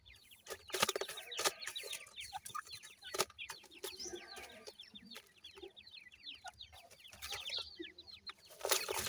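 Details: Many dakhni teetar, or grey francolin, chicks with their parent pair keep up a steady stream of shrill falling peeps, overlapping constantly, punctuated by loud sharp clicks and knocks.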